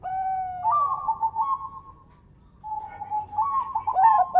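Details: Lure song of a local zebra dove: a long steady tone rising into a wavering bubbling coo, a pause, then a level note leading into a quick rippling phrase.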